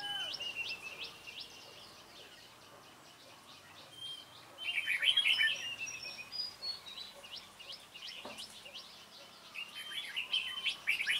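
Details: Trapping red-whiskered bulbuls with a dark-bibbed decoy on 28 February 2017: two bursts of loud, chattering warbles, at the middle and the end, among many overlapping thin whistles and chirps from other birds.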